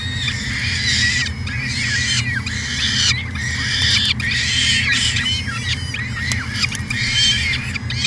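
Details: Peregrine falcon calling at a University of Alberta nest cam in Edmonton, Canada, in 2017: rapid, overlapping screechy calls that bend up and down, almost continuous, with a low droning hum beneath.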